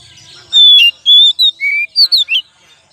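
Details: Oriental magpie-robin, as a kacer lure song: loud, clear whistled phrases of sliding notes, some drawn out and flat, others short and dipping or rising, in a brisk varied sequence with brief pauses between notes.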